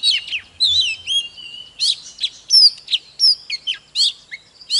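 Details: Oriental magpie-robin in intense display song. It pours out a quick string of varied whistles, slurs and sharp chips, with almost no gaps.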